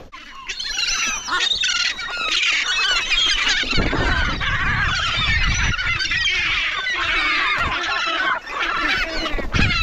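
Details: A flock of hungry gulls squabbling over food, an unbroken, noisy chorus of overlapping screams and squeals with low rumbling underneath, and a brief pause just after eight seconds.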